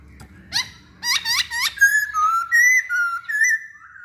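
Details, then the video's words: Masked laughingthrush used as a lure to get other birds to sing: a few quick rising notes, then a run of clear sustained whistles wavering between two pitches, with faint low rumble early on. "Pancingan Poksay Hongkong"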